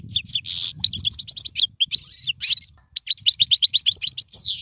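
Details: European goldfinch song, meant for training young birds; quick liquid twittering, a brief buzzy note, and runs of rapid high chirps separated by short gaps, over faint low noise.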